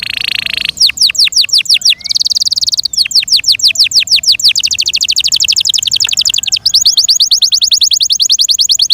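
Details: Domestic Yorkshire canary song: a steady buzzy note, fast down-slurred series, another buzz, then long rapid rolling trills of high notes.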